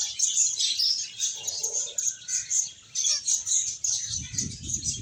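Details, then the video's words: Several finches chirp continuously while playing and eating, giving bright, high twittering notes in quick bursts, with a soft low rumble in the last second. "Cute Birds Chirping Sounds | Beautiful Finches Playing and Eating"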